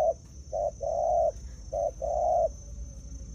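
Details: A wild-caught spotted dove used as a decoy bird coos in soft low phrases: a short note then a longer drawn-out coo, repeated twice, with a faint steady high tone throughout.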